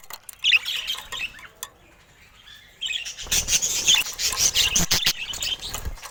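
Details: Pet budgerigars with colour mutations chattering: a burst of high, scratchy warbling, a near-silent pause of about two seconds, then dense twittering chatter broken by sharp clicks and taps.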